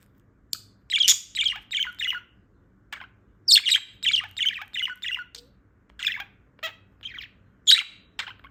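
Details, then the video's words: Female budgerigar that has just woken up, warbling in short scratchy chirp bursts, runs of four or five notes separated by brief pauses, then single sharp chirps, in a quiet room. "PERIQUITO AUSTRALIANO PIANDO/SOM DE PERIQUITO"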